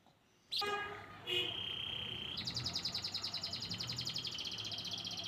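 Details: A white crested canary after a loud harmonic blare at the start: a sustained whistled tone, then a long rhythmic roll of rapid repeated high notes.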